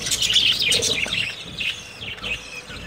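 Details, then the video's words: Budgerigars at the start of their summer breeding season give quick high chirps and warbles, loudest in the first second, then fading into softer scattered twitters. "Excellent budgies breeding progress"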